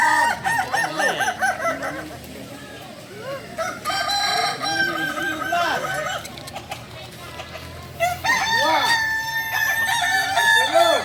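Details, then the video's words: Kukuak Balenggek chickens, native singing chickens of Solok, training for crowing performance: bursts of overlapping crows separated by quieter stretches full of low arched clucks, closing with a loud layered crowing chorus. "Latihan prestasi Ayam kukuak balenggek ayam penyanyi asli Solok"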